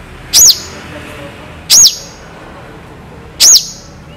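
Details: Long-tailed shrike tutor song with sharp, long, clear shots: three loud arched high whistled notes, each rising and dropping steeply, about every one and a half seconds, with little else heard.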